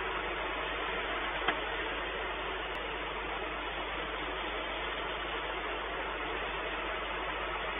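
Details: Steady hiss with a faint low hum and one brief click, with no animal voice.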